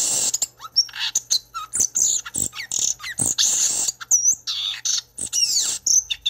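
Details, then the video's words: A violaceous euphonia sings a rapid, varied jumble of high chips, twitters and slurred whistles, with quick changes in pitch and short pauses. "Gaturamo-verdadeiro ou guiratã"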